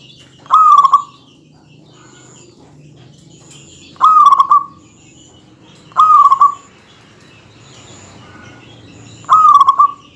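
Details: Local zebra dove singing densely to tease rival males. Four pulsed cooing phrases, each about half a second, falling slightly at the end and spaced two to three seconds apart, with a faint high hum throughout.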